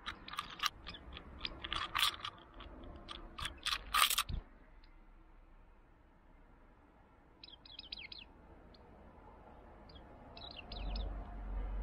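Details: After a dry rainless week, warbling white-eyes feed on a mandarin orange set on a stand. One gives thin, high, twittering chirps in two brief bursts, after several seconds of loud crunching and tapping noises.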